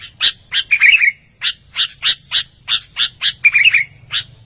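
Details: Albino sooty-headed bulbul singing vigorously: a string of harsh, buzzy chips roughly every third of a second, broken twice by short bubbly whistled warbles, over a faint low hum.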